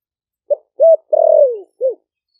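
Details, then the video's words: Deep 'giọng thổ đặc' coo of a caged spotted dove from Ninh Thuận, caught wild four months before, calling wild doves over: short lead note, arched coo, long sliding-down coo and a short end note, clean and close. "Cu gáy kích bổi nhanh nổi GIỌNG THỔ ĐẶC ( THỔ SẤM )gáy gọi bổi về"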